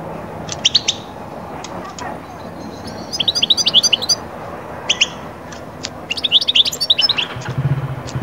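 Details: European goldfinch song aimed at rousing birds from moult into breeding mood: separate short bursts of bright, twittering notes with quiet gaps between them, and a steady low background hiss.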